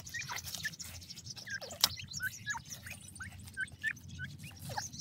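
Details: Several captive francolin chicks, teetar, calling together in quick high peeps and short upward-sweeping chirps, irregular and overlapping, over a steady low rumble with one sharp click.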